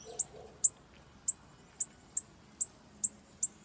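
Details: Bananaquit heard during a campeada, eight piercingly high, clipped notes repeated at a steady pace, roughly two each second, in otherwise calm surroundings.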